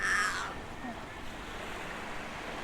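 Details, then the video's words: A crow in Tbilisi, Georgia gives one harsh, rasping caw of about half a second over steady low background noise; the crow kept on cawing. "Dat is het geluid van een kraai."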